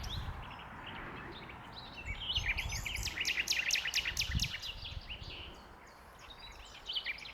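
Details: Common nightingale song recorded at Westleton Common, 8 May 2025, a fast series of repeated clicking notes and brief whistled phrases over steady low background rumble.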